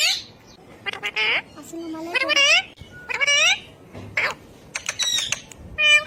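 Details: Talking ring-necked parakeet kept as a pet, uttering a run of speech-like phrases with bent, gliding tones and raspy syllables, separated by short silences.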